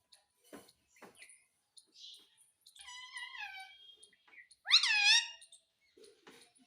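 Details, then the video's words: Talking parrot begging for roti: scattered clicks, a steady mid-length word-like phrase, then a loud upswept syllable that bends down, with faint noises afterward. "मम्मी मिट्ठू को रोटी दो _ Parrot Talking Everything _ मिट्ठू की प्यारी बातें"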